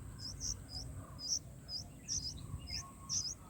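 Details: Nestling bulbuls begging while being fed in the nest on day four; thin high chirps in quick irregular pairs over a faint steady hiss.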